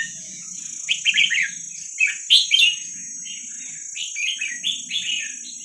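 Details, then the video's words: Young wild red-whiskered bulbuls of Vietnam, for training young birds: quick clusters of clear, bubbling chirps, louder around the middle, then a softer run of repeated notes, over a persistent high whine and low hum. "ลูกนกกรงหัวจุกเวียดนามป่า ใว้เปิดฝึกลูกนก"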